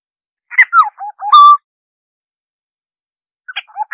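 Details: Oriole singing, recorded for bird survey use: a rich whistled phrase of several slurred notes, the last one held and level, then a second phrase beginning after a two-second pause in otherwise silent surroundings.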